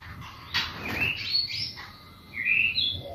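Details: White-rumped shama song used as a lure to provoke other birds to sing: scattered clear whistled notes, some rising and some sliding, with short gaps between phrases and a faint steady tone behind.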